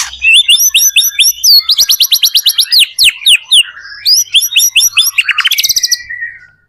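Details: White-rumped shama lure song for prompting other shamas to sing: rapid series of high, sharply slurred chirps repeated in tight clusters, with a fast stuttering run near the end.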